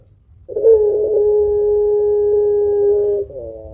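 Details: Spotted dove of the pelung type, singing actively with a long, thick kuwok call used to stimulate other birds. After a brief silence, a steady low coo of nearly three seconds ends with a quick wavering dip.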